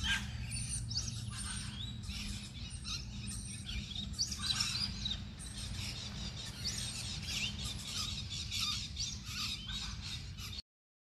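Galahs calling as a flock, with a steady stream of shrill, scratchy chirps and screeches from several birds over a low background rumble.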